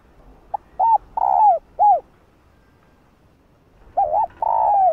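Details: Female spotted dove cooing to stimulate males to call. A soft short note, two rounded coos, then a long slurred coo falling at the end. After a quiet gap a second phrase of a double coo and a long falling note follows.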